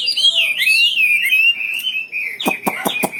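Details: Prolific wambi bird singing: a long, smooth, wavering whistle gliding down and up, followed by a few sharp clicks under steadier whistled notes.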